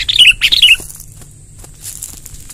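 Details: Sooty-headed bulbul, rolling song used to gather wild bulbuls: a short tumbling sequence of bright warbled notes dropping in pitch, then quiet with a faint high hiss.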